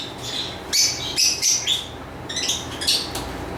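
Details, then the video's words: Lovebird giving quick, thin, high whistled chirps, some slightly sliding, in two small clusters of about four notes each, with a low hum in the background. "Lovebird Chirping Sounds"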